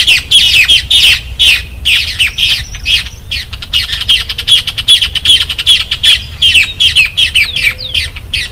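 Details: Loud, harsh chattering phrases, fast and scratchy, from a Caatinga Cacholote (casaca-de-couro), repeated in rapid bursts with a few thin whistles in the background.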